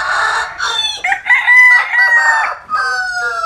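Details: Rooster in the sunshine of Vietnam's western countryside delivers a powerful crow: a rough opening, a long high ringing middle phrase, then a descending, drawn-out finish, loud and close.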